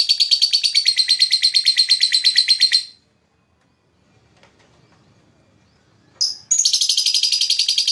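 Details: Lovebird chirping to attract other birds: a rapid trilled chatter for three seconds, a pause of near silence, then one sharp note and the fast chatter resuming.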